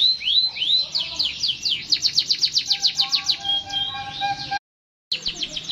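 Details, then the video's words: Continuous canary singing: a lively fast trill of repeated sharp notes, a sustained whistle with quieter lower tones beneath, a sudden break, then the trill resumes. "٣٠ دقيقة تغريد مستمر ورائع مهما كان نوع الكناري خاصتك سيبدء بالتغريد"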